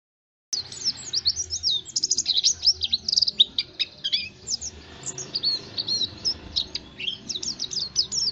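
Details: Oriental white-eye lure song for stimulating other white-eyes: a dense, fast, high-pitched chatter of tumbling twitters that is loudest early, then continues as a steadier run of sharp chirps.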